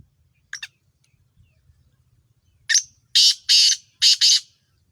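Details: Sindhi Kala Tetar, the black francolin, of Sheedi Chiringa cross type: a short faint note, then a loud harsh series of four grating, buzzy notes in rapid rhythm against a quiet background.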